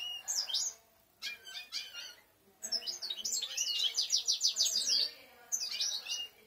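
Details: Several European goldfinches singing: liquid, high twittering phrases broken by short pauses, then a rapid run of repeated chirping notes and a final short burst.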